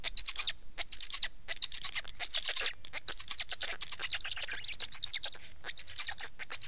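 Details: Black stork: clustered hoarse, whistling bursts repeated irregularly, each group lasting under a second, with short silences between.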